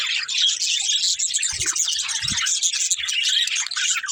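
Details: Several pet budgerigars in a family flock chirp and warble together, a dense run of quick high twittering notes without break, with two soft low thuds in the middle.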